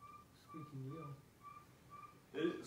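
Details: Northern Saw-whet Owl: a steady run of mid-pitched whistled toots, about two per second, its typical toot series rather than a classic hoot. A man's voice talks over part of it, and a brief clatter comes at the end.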